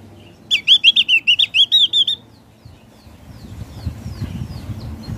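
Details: Javan grey-throated white-eye in ngeplong song: a quick run of about eight bright, evenly spaced high notes lasting under two seconds, followed by faint distant chirps over soft background noise.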